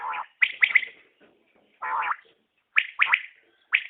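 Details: {'caption': 'Calling common quail, locally batair, giving sharp three-note bursts split by low, rough, murmured notes, with short silences between phrases.'}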